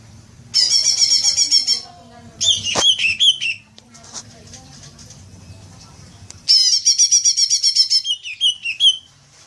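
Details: Green magpie lure sound for long chattering: two bouts of quick pulsed chatter, each followed by lower slurred whistled notes, with a quiet gap between.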